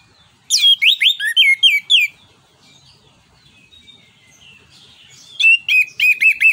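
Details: Orange-headed thrush in ngeplong nembak song, a lure for other songbirds: a rhythmic string of about eight loud slurred whistles, a quiet stretch with soft notes, then a second quick series of repeated chirps.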